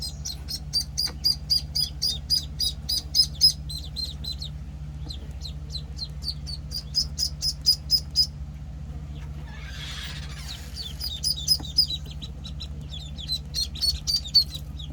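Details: One-week-old penciled call ducklings peeping in bursts of fast, high notes separated by short quiet gaps, with a brief rustling noise midway and a steady low hum throughout.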